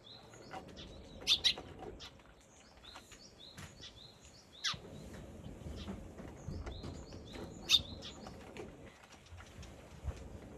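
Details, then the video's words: Sparrow recorded on April 17: loud, sharp chirps cluster near the start and again around the middle, over a steady series of faint, repeated short notes and soft rustling background noise. "4月17日のすずめ・Today's sparrow"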